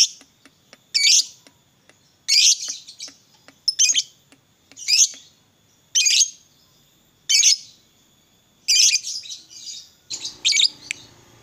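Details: Harsh, high lovebird chatter bursts, each under a second, repeated about every one and a half seconds; this lovebird fighter is played so other lovebirds sing readily.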